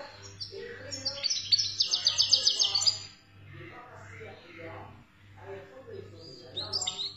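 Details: Algerian goldfinch singing 'khaloui' style: an early bright, rapid metallic trill of repeated high notes, followed by softer warbling and a final short high twitter, over a constant low hum.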